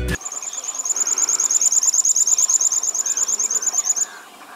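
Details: Jerdon's bushlark seen on safari in Sri Lanka, in open scrub habitat, giving a thin, very high trill of quick, even notes, about three per second, for four seconds over faint background hiss.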